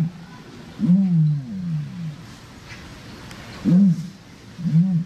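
Ostrich giving deep, hollow, roar-like booms in three bursts, the first long and falling, then two shorter ones, with faint background murmur.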